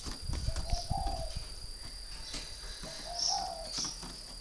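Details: Caged decoy spotted dove, three years old, from northern Vietnam, coos twice in low, soft rolling phrases, while low rumbling knocks and a continuous high whine fill the background.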